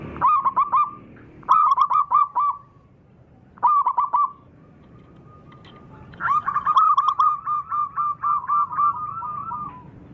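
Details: Sunday zebra dove song: several staccato bursts of bubbling coos, then a long sustained phrase of rapid repeated notes ending in a drawn-out coo. A quiet hum sits underneath.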